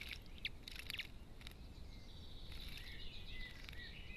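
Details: Common linnet (Linaria cannabina) song: faint, rapid twittering notes, some chirps and a few thin whistles, set against steady low rumbling background noise.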